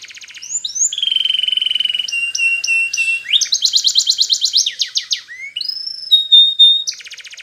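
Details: Canary song for training young canaries: a long steady fluttering tone, clipped whistled notes, a rapid rolling trill, rising slurs, a sustained pure whistle and a final quick rattle.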